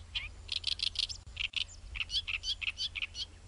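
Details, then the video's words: Great reed warbler singing in Japan: loud, harsh, croaking and chattering notes repeated in rapid clusters, alternating between lower grating syllables and higher squeaky ones, with a steady low hum underneath. "オオヨシキリのさえずり Singing Bird Great Reed Warbler"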